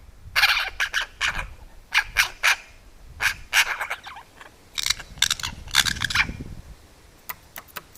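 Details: European magpie filmed close up, reacting to a camera set near its food and barking like a little dog: short harsh raspy bursts in quick clusters of two or three, with faint low rustling between them.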